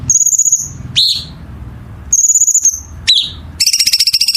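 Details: Songbird used for masteran: a high pulsed whistle, a falling chip, another whistled phrase, a second chip, then a fast rattling trill, with a low hum behind.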